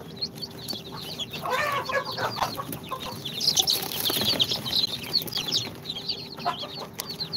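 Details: Sultan, Golden Sebright, Cochin and booted chicks on their second day after incubator hatching. Continuous high chirping from many chicks, with a burst of rustling or scuffling noise in the middle and a steady background hum.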